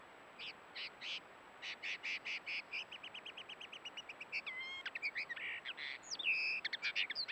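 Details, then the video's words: Camera-trapped male common linnet in breeding plumage singing: a quick run of dry twittering notes, then varied melodious whistles, slurred rising notes and fast trills, over a faint steady high hum. "Pardillo o pajarel; extraordinaria exhibición de un macho en pleno canto"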